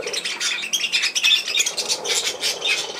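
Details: Budgerigar chattering nonstop with rapid, buzzy, high chirps and squawks in an unbroken, rolling stream.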